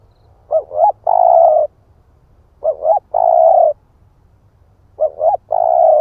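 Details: Decoy spotted dove, split-breast type, repeating its coo three times about every two seconds: a double rising introduction then a sustained husky note, in still surroundings.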